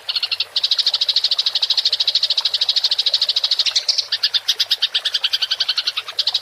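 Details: House sparrow in the fighting rolling-chatter style known as tarung ngerol, a clear-voiced training recording for songbirds; fast pulsed high chatter, about eight notes a second, steady then breaking into sharper notes near the end.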